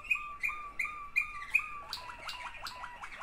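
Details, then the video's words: Sibling pair of Waterslager canaries: five evenly spaced bright double notes, then a quicker string of hooked, gurgling syllables. "waterslager 2 αδερφάκια."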